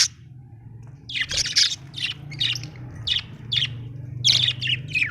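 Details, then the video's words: Happy Australian budgerigar giving short buzzy chirps and squawks in spaced bursts roughly every half second, set against a constant low mechanical hum. "Happy budgie chirping sound"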